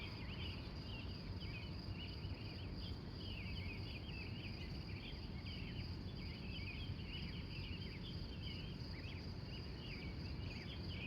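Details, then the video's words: Predawn and early-morning birdsong from Glendive, Montana, USA, recorded live from 3:45 a.m.: dense, steady twittering and warbling from several birds, with a constant high insect hum and low rumble throughout. "The Wild Morning Birds Of Montana"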